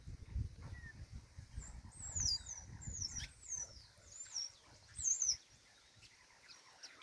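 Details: Chopi blackbird singing in nature, heard as high, thin whistled chirps and short downslurred notes in loose bursts every second or so, loudest near the middle and end, over faint low background rumble.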